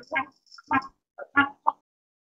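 A crested ibis gives four harsh, nasal croaks about half a second apart, the last one short and clipped, over a faint high whine.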